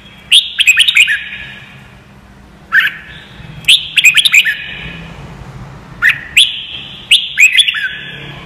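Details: Training recording of red-whiskered bulbul song for young birds to copy: lively phrases of rapid, clear whistled chirps, some rising and some dropping, in bursts every couple of seconds with short pauses and faint background hum.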